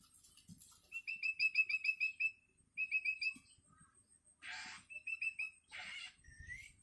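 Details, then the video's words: Long-tailed Shrike chick, hungry and learning to sing, calling for its parent: quick series of short clear chirps repeated rapidly in two bursts, then two loud harsh rasping calls and a final rising whistle. "Suara anakan cendet"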